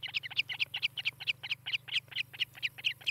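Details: Osprey on its nest in Charlo, Montana, filmed by nest camera on 18 July 2018 in the morning: brisk, high squealing chirps in quick succession, about four per second, with a faint low hum behind.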